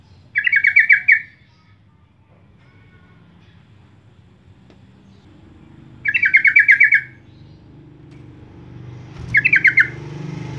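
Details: Lure calls of a sooty-headed bulbul, used to coax other birds into song: three short chattering bursts of rapid bubbly notes, spaced several seconds apart over a faint low rumble.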